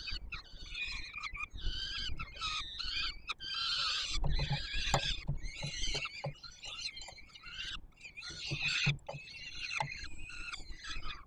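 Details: Peregrine falcon chicks begging as the male feeds them at a nest on Warsaw's Palace of Culture and Science, Poland, 7 July 2022; dense overlapping harsh, harmonic screeches in rapid bursts over a steady low rumble.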